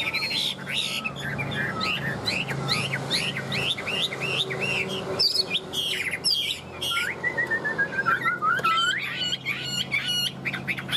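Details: A tame caged Chinese hwamei with yellow legs and beak, caged over two years and newly arrived, sings loud, rich whistled phrases of repeated slurred notes, including a quick descending run, over a low background hum.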